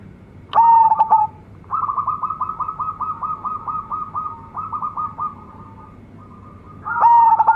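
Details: Local zebra dove bred from a champion decoy bird. Two loud stuttering coo phrases frame a long run of softer, evenly repeated rolling notes, roughly four per second, from another dove.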